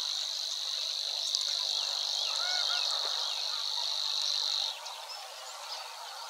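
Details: Savi's Warbler reeling in a marsh near the Weerribben, Overijssel, Netherlands, May 2022: a high, monotonous insect-like trill runs for about four and a half seconds then stops abruptly, leaving softer calls of other marsh birds.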